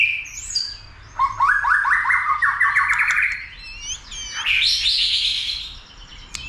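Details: White-rumped shama stimulated to fight and sing with tail flicks; high whistles, then a fast rising chattering trill, followed by a long bright warbled phrase.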